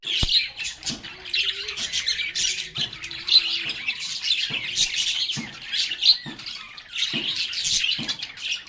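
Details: Group of lovebirds chattering while playing: busy stream of harsh squawks and high chirps layered over one another, with small clicks and bumps between bursts.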